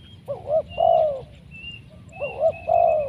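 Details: Spotted dove with a big voice and large body, recorded for bird trapping: low hollow cooing phrases in two-part pairs, repeated twice, over steady low background noise and faint high thin tones.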